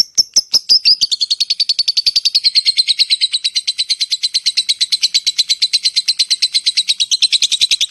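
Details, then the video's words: Lovebird (labet) in a long ngekek call to attract other lovebirds: a few sharp ticks open, then a steady, rapid series of buzzy chattering notes, gently falling in pitch and holding for seconds. "SUARA LOVE BIRD ( LABET ) NGETIK, NGEKEK PANJANG AMPUH UNTUK MEMANCING LABET YANG LAIN"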